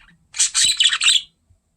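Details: Pet budgie close to the camera out of curiosity, producing one loud, dense scratchy warble lasting about a second.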